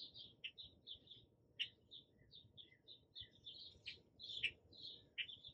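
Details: Hummingbirds at a garden feeder in the morning, recorded with an iPhone 11 on a tripod beside the feeder: a busy stream of short, high, squeaky chips and twitters, with brief sharper notes, over a soft low background hum.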